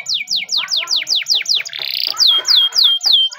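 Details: Spanish Timbrado canary training song with quick descending whistled sweeps, a brief harsh buzzy burst in the middle, then more clear downslurred whistles repeated steadily.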